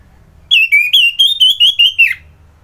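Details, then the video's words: ['Orange-headed thrush, Bali, singing a fast string of about eight bright whistled notes, evenly spaced and slightly wavering, ending in a downward slur; quiet low hum underneath.'] "Merdu Kicauan ANIS MERAH Gacor"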